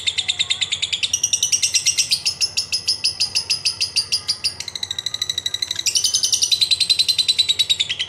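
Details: Lovebird performing long ngekek trilling with ngetik ticking, used as a lure to get other birds singing; a dense, rapid, high-pitched chattering trill that runs without pause, shifting pitch in several steps, with pulses coming about 200 per minute.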